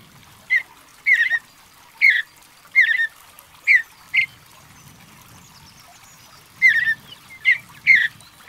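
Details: Mountain bluebird singing a series of short, husky, warbled notes in irregular groups, with a pause midway before a final cluster, over a faint low background rumble.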